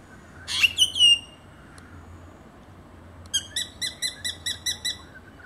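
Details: A spangled drongo mimicking a number of other birds' calls gives a burst of harsh, metallic, twanging notes, then a run of eight quick, evenly spaced ringing notes.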